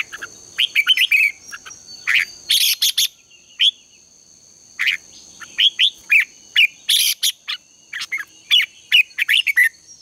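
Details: Contest-style morning song of a red-whiskered bulbul, used as lure calls for training birds: bright, choppy chirped phrases in quick clusters separated by brief pauses, over a constant thin high tone.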